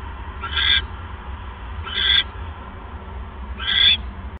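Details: Owl at night, 28 January 2015, male delivering a mouse to his mate: three raspy, squeaky calls, each about a third of a second long, repeated roughly every one and a half seconds, with a low hum underneath.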